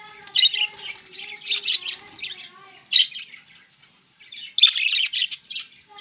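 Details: Pet budgerigars on 11 October 2016 chattering in dense bursts of scratchy, warbled chirps, one loud squeak near three seconds, a short pause, then more rapid chatter over a faint low hum.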